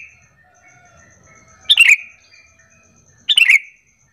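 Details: Sooty-headed bulbul lure call meant to prompt other bulbuls to answer: two short bright chirp bursts about 1.6 seconds apart, each a quick cluster of notes slurring downward, with faint softer bird notes between.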